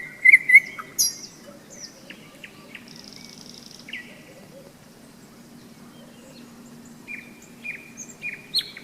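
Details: On a May hike beside the Seversky Donets, in thunderstorm season, a nightingale opens with a loud piping whistle, then gives spaced sharp notes and a short buzzy phrase. Frogs croak steadily in a low continuous background.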